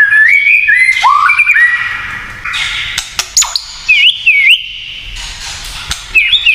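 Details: White-rumped shama performing 'kretekan' song that stirs other shamas: warbled whistled phrases, a deep dipping slur, crisp clicks, then bright looping notes.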